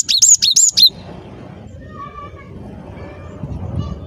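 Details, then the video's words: Cinereous tit song used to lure birds for trapping: one quick burst of four high, clear two-part notes, then quiet with a low hum. "Suara Burung Glatik Batu Gacor"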